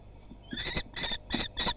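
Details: Young common kestrels trying their wings at Théding, France, on 24 June 2020; four harsh, ringing notes close together in under two seconds, the first slightly softer, with faint background rustling.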